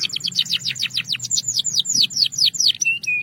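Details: Belgian canary delivering a series of clear, descending sweeping notes in steady succession, about four per second, ending with two short flat whistles; bright high tones over a faint low background hum.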